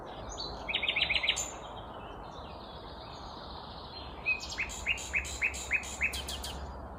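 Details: Common Nightingale, a stationary vagrant singing in the morning in Kvarnbo, Uppsala, Sweden, May 19, 2021: a quick rattling trill, a pause, then six loud upslurred notes repeated at a steady fast pace.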